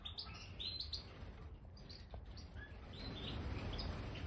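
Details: Several Major goldfinches, a large captive form kept in an aviary, including pied and white-headed birds, awaiting freshly scattered bird sand; irregular short high chirps and twittering notes scattered throughout, over a steady low rumbling background noise.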